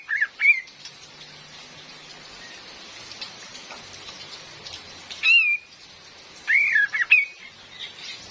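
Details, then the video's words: Steady rain dominates, with a female cream-vented bulbul giving short whistled chirps at the start and a few wavering slurred notes late on; recorded for luring birds. "SUARA ASLI KAPAS TEMBAK BETINA || COCOK BUAT PIKAT DAN PANCINGAN"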